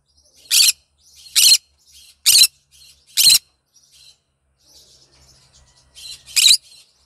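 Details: Green conure singing in the morning, a happy bird: loud grating screeches repeated roughly every second, with quieter chatter between and a double screech at the end.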